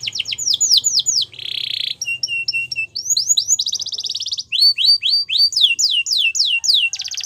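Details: Caged canary song delivered in quick phrases: repeated downward-sweeping whistles, a dense buzzy trill, short clipped notes and steady rolling trills, each tour changing every second or so.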